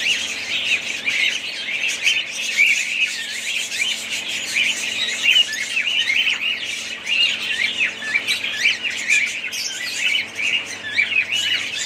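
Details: Continuous budgerigar chatter: dense, scratchy chirps and squawks overlap throughout, with a few louder bursts of twittering.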